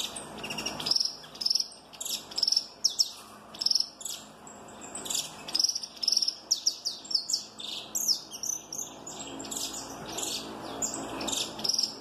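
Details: Giant-mutation Peruvian saffron finch delivering a forceful snapping song, with rapid bursts of sharp high chirps and slurred notes in clusters, with a thin constant high-pitched tone running underneath throughout.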